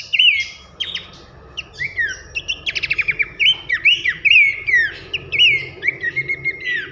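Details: Masteran tutor song of Abbott's babbler, loud nyiul with nembak bursts for training songbirds: clear whistled slurs, a rattling run of rapid clicks near the middle, then rising and falling whistles, faint hiss in the background.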